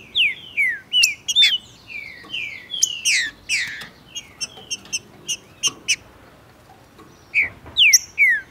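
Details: Male green-winged saltator singing quickly and strongly with a female nearby in tournament and breeding season: repeated slurred downward whistles interwoven with crisp ticks, a ticking pause, then three more whistled slurs.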